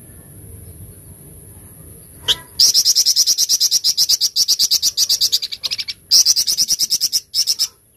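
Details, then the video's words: Flamboyan in the hard 'tembakan cadas' style: one high chip, then long, relentless volleys of shrill, rapidly repeated notes, briefly broken by short pauses. "TEMBAKAN CADAS FLAMBOYAN"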